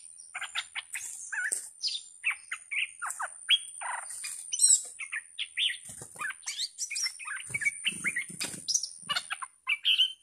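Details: Caged bulbul kept as a fierce decoy bird, recorded 18 July 2021, giving a dense stream of short sharp chirps and buzzy notes, with some scratchy rustling and faint low thumps in the background.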